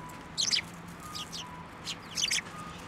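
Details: Sparrows flying onto a hand to take food at a shrine, recorded 8 December 2023; a few short bright chirps in two clusters about a second and a half apart, with faint low hum beneath.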